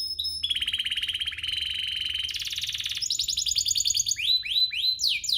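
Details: Canary song used to get other canaries singing: a sustained pulsed mid-pitch trill, a higher buzzy roll, then a string of quick rising and falling whistled sweeps.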